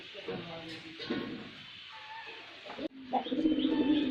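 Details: White male pigeon's performance: deep, gurgling coos repeated roughly three times a second, softer at first, then a sharp break and a louder, steadier coo run, indoors.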